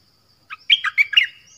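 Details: Nok dok taeng song fragment for young birds to copy: four quick, slurred whistled notes within a second, bright and slightly buzzy.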